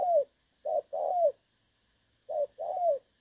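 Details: 'Đồng son' calling of a spotted dove with a clear voice, recorded 16 August 2024 as a trapping lure. Two pairs of coos separated by a pause; the second note of each pair is longer and falls in pitch.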